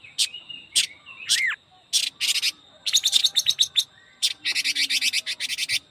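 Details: Singing Chinese hwamei (quế lâm) in fast 'ché kích bổi' style: a few separate sharp notes and a curling whistle, then long rapid strings of buzzy high-pitched notes.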